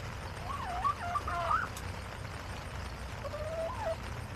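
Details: Backyard chickens on a homestead, recorded August 28, 2024: wavering, nasal clucks and drawn-out warbling calls in two bursts, a longer run at the start and a shorter one near the end, over low steady background rumble.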